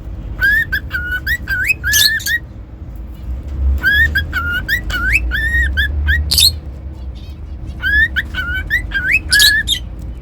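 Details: Cockatiel whistling in three bursts of crisp rising and level notes with occasional scratchy high squawks, over a noticeable low rumbling background.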